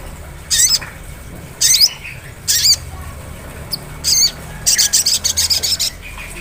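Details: Ngleper-style sunbird song used as a lure to trigger ngriwik singing: harsh, high-pitched buzzy bursts, spaced at first, then a fast rattling run of quick notes near the end.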